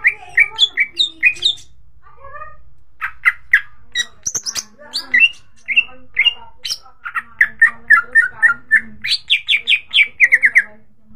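Greater green leafbird pouring out a fast, varied song of sharp chips, slurred whistles and squeaky notes, delivered in quick bursts with brief pauses.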